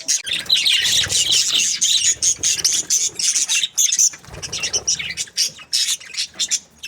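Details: A flock of happy budgerigars chirping: continuous high, buzzy warbling chatter broken by quick squawks, dense for four seconds, then choppier bursts repeated roughly every half second.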